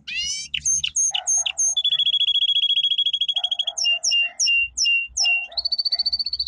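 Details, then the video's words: Domestic canary's powerful training song: a falling rush of notes, sharp high looping chirps, a long buzzy steady trill, more looped notes and a final even trill, with softer lower chirps in the background. "Canary singing - 2 Canary 's most powerful song for training"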